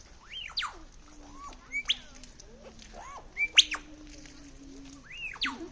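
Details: Sydney lyrebird imitating typing, kids' toy guns and assorted birds: repeated arched whistles that rise then fall, sharp high clicks and short chirps roughly every second over a low steady hum, in a fairly quiet setting.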